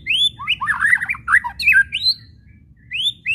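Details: White-rumped shama chattering call (kretekan) for provoking shamas: a rising whistle, then dense scratchy chatter and twisting notes, a few more upslurred whistles, a short silence, and two closing rising whistles.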